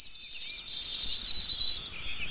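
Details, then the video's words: White-throated sparrow (Zonotrichia albicollis) spring song: a pure, high whistle, where a brief higher note leads into a long steady tone that breaks into quick pulses on the same pitch. "Le chant du bruant à gorge blanche"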